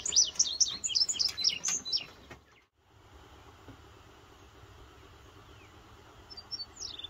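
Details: Indigo bunting in West Virginia, singing one June morning in 2023 after its spring return: about two seconds of high, bright paired chirps and slurs, then quiet with steady low rural background noise and a faint distant note near the end.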